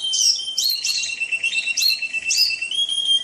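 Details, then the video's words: Canary singing over soothing trickling water for a masteran recording: short warbled phrases and a thin, sustained high whistle, with constant splashing water underneath. "Suara Burung Kenari"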